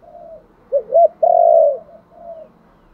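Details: Spotted dove giving its luring call: soft, low hums first, then two short rising coos and one long, loud, steady coo, followed by a faint trailing hum.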